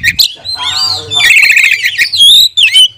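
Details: Oriental magpie-robin song used to train and incite other magpie-robins: a harmonic nasal note, then a dense buzzy warble and a few sharp whistled slurs, with a low background hum.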